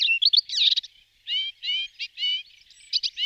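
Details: Melodious warbler in a varied jumble: quick twittering slurs at first, then a brief pause followed by repeated nasal, buzzy phrases interspersed with sharper notes; no background sounds.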